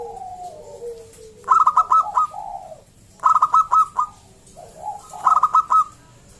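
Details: Loud local zebra dove in song, recorded to prompt other zebra doves to sing. Three short bursts of rapid, staccato notes at a steady pitch, about two seconds apart, with lower gliding notes in the gaps.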